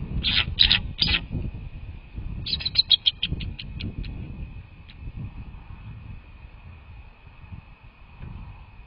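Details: Bald eagles at a nest on a live camera, 6 February 2024, 18:20: a few loud sharp high notes, then a rapid chittering series that speeds up and fades out, followed by quiet with low rumble and a steady hum.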